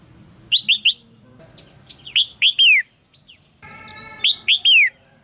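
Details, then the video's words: Caged female red-whiskered bulbul calls to stimulate a young male's song, giving clusters of two or three loud, bright chirps that slur downward, with fainter high squeaky notes between the clusters. "นกหัวจุก birds - นกตัวเมียร้องเจี๊ยก ๆ ในกรงเพื่อกระตุ้นให้นกหนุ่มร้องอย่างไพเราะ"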